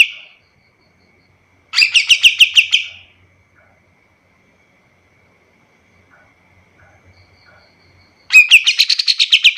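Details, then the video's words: Recording of a white-shouldered triller made for tutoring other birds: a short burst of quick chirps, several seconds of near silence, then another rapid chirping trill. "Suara kapas tembak paling bagus untuk masteran burung lain"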